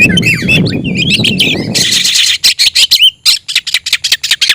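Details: Oriental magpie-robin singing as if looking for a rival: harsh buzzy notes over low rumble at first, then a fast series of loud clipped chirps.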